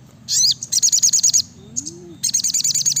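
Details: Sriganti (brown-throated sunbird) in busy 'gacor nembak rapat' song. A loud high burst opens into a dense rattling trill of crisp notes. A pause follows with a faint low sliding whistle, then the rapid trill resumes.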